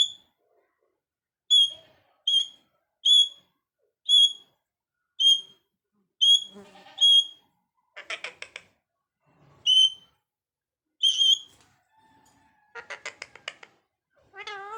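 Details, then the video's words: Parrot alternating a string of sharp, high whistled notes with bursts of rapid, rattling chatter and a few nasal, wavering squawks, all in a quiet indoor setting. "parrot birds talking"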